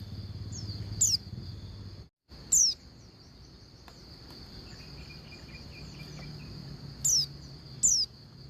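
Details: Female Oriental white-eye summoning a male: four quick, high, down-sweeping notes in two pairs, with a long gap between the pairs and a brief dropout early on, a steady shrill whine and low rumble in the background.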